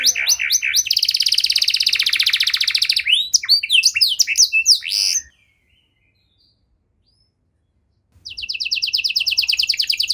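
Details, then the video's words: Singing canary whose long song is played to encourage stalled canaries to sing: sharp chips, a dense rolling trill, a burst of rising slurred notes, about three seconds of silence, then a fast high trill resumes. "Kenari Gacor Durasi Panjang Cengkok Istimewa! Efektif Buat Memancing Kenari Macet Biar Gacor Kembali"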